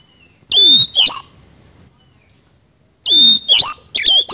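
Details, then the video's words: Kacer, or Oriental magpie-robin, in full 'isian kasan' song: a loud phrase of a clear whistle and sweeping harsh notes, a pause of nearly two seconds, then another run of shrill, twisting whistles. "BURUNG KACER GACOR ISIAN KASAN"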